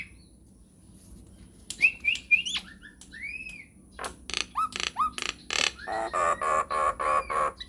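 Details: Nias hill myna singing a lure song to provoke answers: a quiet start, then a few short rising whistles and a curved note, building into loud repeated nasal clicks and chattering notes about four per second, with faint background hum.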